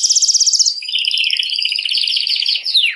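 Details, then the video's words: Singing canary, song used to stimulate females to mate: a fast pulsed trill of bright beads of sound, dropping into a lower, steadier rolling trill, ending with a short downward sweep. "تغريد كناري"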